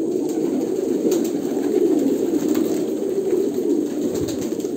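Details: A chorus of Kolkata pigeons, deep overlapping coos blending into a throaty hum, with a few sharp taps.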